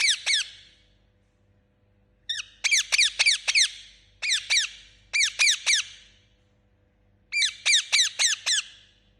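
An Indian ringneck parakeet gives shrill, squeaky chirps in quick bursts of four to six notes, separated by short pauses, over a faint low hum.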